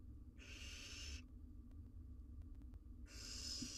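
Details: Four wild barn owl nestlings huddled in a research-monitored nest box while their mother is out, giving long rasping hisses: two breathy, noisy bursts under a second each, separated by quiet, over a steady low hum.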